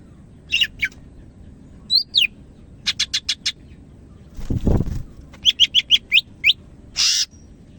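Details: Lively song of a greater green leafbird from Medan: rapid runs of sharp repeated chips, a few whistled slurs and a harsh buzzy note, with a brief low thump midway.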